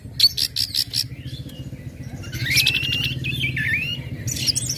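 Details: Orange-headed thrush singing ngecip, ngecit and ngeplong styles to make other birds join in; a quick series of sharp high chips, then warbled, swooping whistled phrases over a steady low hum.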